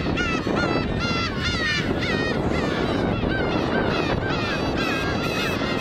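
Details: Flock of black-tailed gulls on Kabushima, New Year's Day 2015, unusually many for winter; loud drawn-out mewing cries with bending, wavy pitch follow one another almost without pause against constant wind and wave noise.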